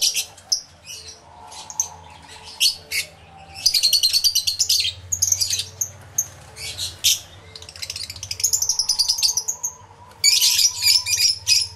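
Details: Lovebirds crowded in an aviary, picked up by two external microphones: bursts of rapid, shrill, scratchy chirps alternate with brief pauses, several birds calling together over a low steady hum.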